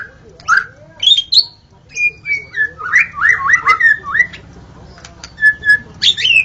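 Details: Forest white-rumped shama in gacor song. Spaced whistles and high notes lead into a rolling string of looping, slurred whistles. The passage ends with clear single whistles and a bright, high flourish.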